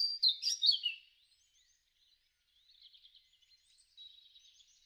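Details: European robin singing in a garden in spring, March to April 2013: a bright burst of high thin trills and sliding whistles, then quieter scratchy twittering phrases after a pause.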